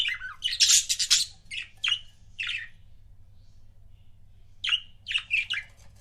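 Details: Pet budgerigar couples chirping indoors: loud bursts of raspy, high chirps in the first second and a half, a few short notes, a pause, then another run of sharp chirps near the end.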